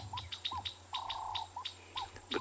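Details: Chinspot Batis alarm call, Ngala Private Game Reserve, South Africa, 10 May 2020, afternoon: rapid, harsh clicking and rattling with brief whistles over engine hum; given in territorial disputes or at snakes or leopards, though no leopard seemed present.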